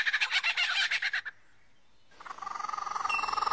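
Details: Australian forest lyrebird copying sounds: a quick burst of pulsed harsh notes, a brief silence, then a steadily quickening buzzy trill.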